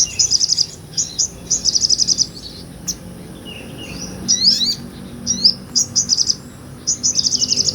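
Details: Sogon, a nectar-feeding sunbird, in ngobra tutor song for birds like murai and kacer: repeated short, very high, fast trills in bursts, broken by sharp twittering notes midway, then more rapid trilled bursts.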